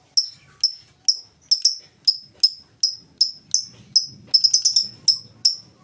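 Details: Lovebird in full 'ngetik' ticking song without 'ngekek', offered as a lure for other lovebirds. Around seventeen sharp, high chirping ticks roughly every third of a second, bunching into a quick cluster near the end.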